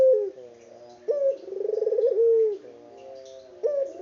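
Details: Local puter dove, recorded unedited while calling often: a clipped high opening note, then a quavering rolled coo that ends in a long, descending tone, and a fresh phrase beginning at the close.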